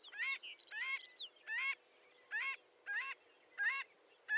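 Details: About seven honking, nasal calls from a marbled godwit shorebird, each note rising at the end, delivered at an uneven pace with short gaps.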